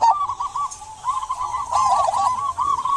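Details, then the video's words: Local zebra dove in active song used to prompt silent doves; a near-continuous trilling run of soft, wavering coo notes that swells and fades over a few seconds. "Perkutut lokal gacor buat pancingan perkutut pendiam agar bunyi"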